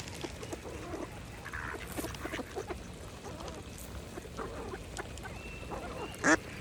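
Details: Mallard ducks feeding at a pond: a few short, nasal quacks in a quiet stretch, scattered soft water clicks, and a brief sharp high squeak near the end.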